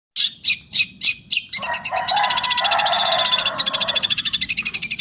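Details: Long-tailed shrike singing, a few loud harsh chirps followed by a dense rapid rattling chatter and then a fast series of repeated sharp notes.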